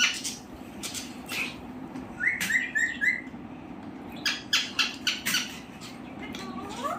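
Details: Pet parrot giving a quick run of four sharp, repeated chirps at about two seconds, then a burst of harsh, clicking squawks, ending with a soft rising whistle, over a low steady hum.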